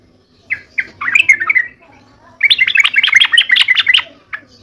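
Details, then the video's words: Sooty-headed bulbul used as a lure bird, in full persistent song: a few separate sharp chirps, then a rush of bright, jumbled chattering notes. A pause follows, and a second longer twittering burst ends with scattered single notes. "gacor nya trucuk seperti suara kuntilanak anak"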